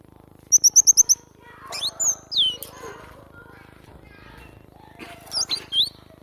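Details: Cinereous tit song opening with a fast burst of five identical high notes, then looping whistled phrases mixed with softer chattering sounds in the background.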